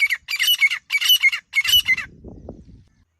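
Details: Grey francolin (desi teetar) calling, used as a hunting lure: four loud, harsh, squawking bursts in quick succession, each with a grating high ringing tone, followed by a low rumbling rustle as the series ends.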